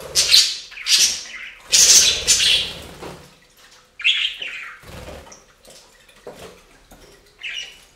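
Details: Budgies bathing in a fountain; loud shrill chirps and splashing dominate the first three seconds, then quieter scratchy warbles follow with gaps.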